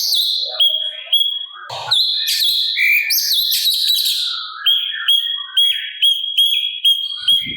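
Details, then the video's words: Sooty-capped babbler master recording for training songbirds: a busy burst of mixed chirps and whistles, then a clear high note repeated about twice a second in an even pulse. "Pancingan Cucak Cungkok Gacor Isian Kasaran Sangat Cocok Untuk Masteran Burung Agar Nembak Sangar"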